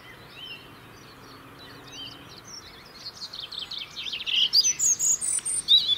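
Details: Year-round singer in the UK, a European robin holding winter territory: quiet high notes at first, then a louder burst of rapid, trilling, tumbling phrases, thin and bright, in the final seconds.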